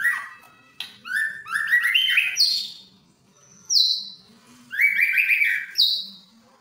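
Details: Captive white-rumped shamas, an albino and a blorok colour mutation, singing loudly in rich bursts: rolling chattering notes followed by sharp, clear upward-sweeping whistles, with quiet gaps between phrases.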